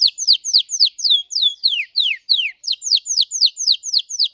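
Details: Red Belgian canary singing a deep, intense song, a fast run of downward-sweeping whistled notes repeated about four per second, clear and unaccompanied.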